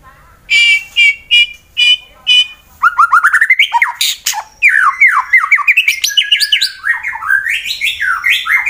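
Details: White-rumped shama from Wonosobo, Central Java, Indonesia, in fighter-style song meant to provoke rivals into singing: five evenly spaced harsh buzzy notes, then a fast torrent of varied whistles, slurred rising and falling phrases and squeaky chatter, clear and close.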